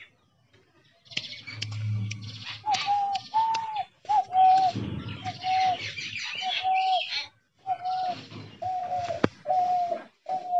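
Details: Spotted dove kept as a hunter's decoy in a trap cage, giving a series of short, mellow, level coos about half a second each, spaced irregularly roughly once a second, over rustling and handling noise.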